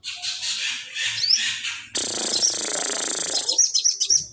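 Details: Crested jay, known locally as sogon, giving a lure call used to draw in other birds: harsh, hissing broadband bursts, a break near two seconds, then a denser rasping stretch ending in short high squeaks.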